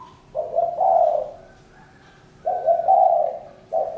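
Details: Spotted dove cooing: two long, soft, slightly rising-then-level coos about two seconds apart, then a third beginning, over a quiet background.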